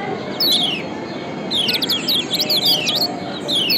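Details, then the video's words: Lombok yellow white-eye 'ciak' calls used to provoke lazy birds: a lone high falling chirp, then a dense burst of quick, thin, slurred notes, and another chirp at the end, over heavy hiss. "Kombinasi Ciak Joss Kecial Kuning PATEN‼️Ampuh Pancing Kecial Malas Auto GACOR‼️"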